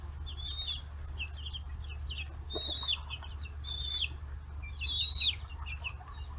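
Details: Forty-day-old chicks on a Japanese free-range farm in Hiroshima, feeding on fish heads; loud arched peeps spaced about a second apart among softer chirps, with brief scuffling noise and a low hum.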